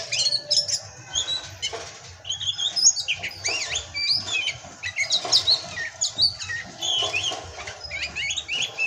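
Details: Kacer (Oriental magpie-robin) song in the pastol style, mixing sharp chipping notes with twisting whistled phrases in lively, uneven bursts across nine seconds.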